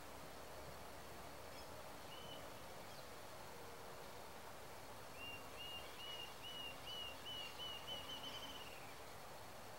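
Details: Rufous-tailed jacamar calling late in the recording: one faint high note, then a run of thin whistled notes that quicken into a short rising trill over about four seconds, against constant hissing background noise.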